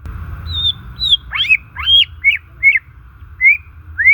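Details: White-rumped shama singing naturally, used to stimulate silent or stressed shamas: clear whistled notes, some sliding down and others rising, delivered in short separate bursts about every half second, over a faint steady hum.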